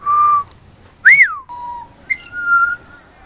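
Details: Pied butcherbird youngster giving a few long whistled notes: a steady held tone, a bright rising-then-falling slur, a lower flat note, and a final sustained whistle.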